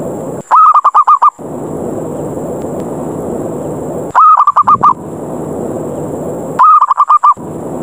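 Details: Zebra dove lure call, described as challenging other doves to fight so they come down: three bursts of rapid, choppy cooing notes, each under a second, spaced about three seconds apart over steady background hiss.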